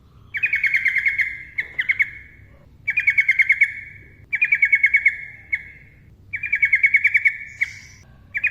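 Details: Yellow-vented bulbul in the rapid trilled 'ropel' style, played to provoke silent birds: buzzy, steady trills about one second long, repeated in four bursts with short pauses between.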